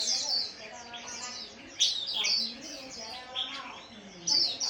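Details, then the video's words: Chestnut-flanked white-eye singing in a chattering líu style: quick high chirps and twittering trills in short bursts, with brief pauses between phrases and a faint low hum behind. "Khuyên đùi nâu líu"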